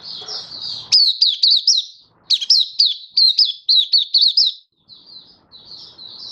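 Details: Malaysian white-eye in full song in Singapore, warm sunny weather, 20 March 2023: fast high twittering with sharp rising-falling notes in two long bursts, then softer thin warbles.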